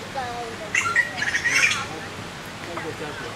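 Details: Taiwan blue magpie chicks in Qianshan Park, Yangmingshan, Taipei, beg for food from foraging parents. Harsh, raspy bursts cluster over about a second, with faint softer calls and steady outdoor hiss.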